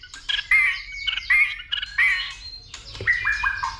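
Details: Agitated white-rumped shama giving a dìu bổi-style fighting song, spurred on by a female: rhythmic, ringing whistled phrases with harsh edges at roughly half-second intervals, ending in a few falling whistles.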